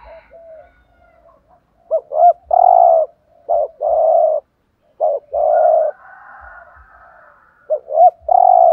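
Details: Spotted dove used as a decoy, giving the 'thúc gù' driving coo to stir wild doves. Three loud phrases, each two short looped notes and then a long, full coo, with softer, wavering background coos between them.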